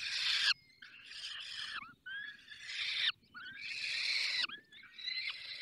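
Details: Feeding at a falcon nest in the Barycz Valley: long, rasping, hissy screams with downward-bending tones, in four or five bursts separated by brief silences.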